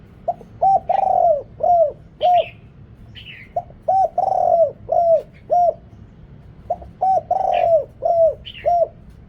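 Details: Deep-voiced Thai decoy spotted dove cooing to call in wild birds, noise-reduced: rapid runs of short hooting coos with a longer rolling note in each phrase, three phrases in a row; faint thin chirps from a small bird above.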